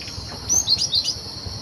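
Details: Cinereous tit in the wild, its voice used as a lure for bird trapping: a brief burst of thin, high chirps lasting under a second, over a steady high insect drone.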